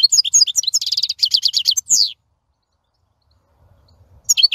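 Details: European goldfinch in song, fast tinkling twitters running into a buzzy, evenly repeated trill and a slurred note, then quiet before the twittering returns.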